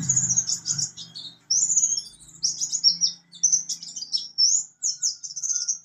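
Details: Mountain white-eye of the buxtoni form singing 'ngalas nembak': bright high chirping phrases and short trills in quick bursts separated by brief pauses, with a low rumbling hum early on.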